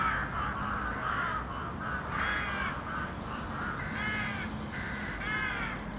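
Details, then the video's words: A flock of crows in the city calling with harsh, buzzy caws in overlapping bursts, several birds answering one another, over a steady low urban hum. "A Murder of City Crows"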